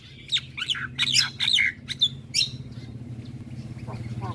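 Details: Chatty Javan myna singing: a fast tumbling phrase of harsh, buzzy squawks mixed with whistled slurs, then fading to faint notes over a steady low mechanical hum.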